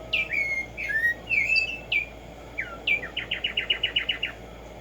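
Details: Arremonops conirostris, the black-striped sparrow known as tumba yegua or tico tico, morning song: slurred whistled notes dropping in pitch, followed by a quick evenly spaced run of about ten sharp notes, with faint background hum.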